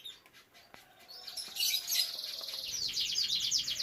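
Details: Captive canary from a breeding setup with young canaries, starting with soft scattered ticks, then bursting into a loud, bright, high warbling song with fast rolling trills and buzzy repeated notes.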